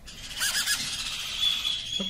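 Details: A 2-week-old baby Meyer's parrot, taken out of the nest that morning and well fed, gives harsh, hissing, high-pitched screeches in a continuous rasping stream, with a brief low human sound at the end.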